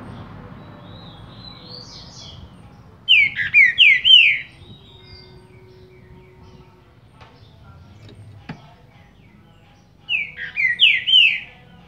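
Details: Caged Green-winged saltator of the Paraná liso song type, warming up after moulting: short bursts of loud, clear whistled notes, each phrase of three to four slurred rising-falling whistles, heard near 3 and 11 seconds, with a fainter phrase before, over quiet low background hum.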